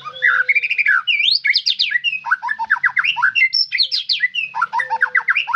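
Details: White-rumped shama pouring out a dense, continuous song of quick varied whistles, slurs and chattering notes with hardly a pause, plus a faint low steady tone.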